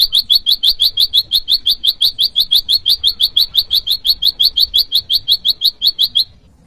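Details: Rival-calling notes of the bar-winged prinia (prenjak lumut), meant for luring wild prinias and tutoring cage birds: steady, rapid, piercing chirps repeated about three times a second, stopping just before the end.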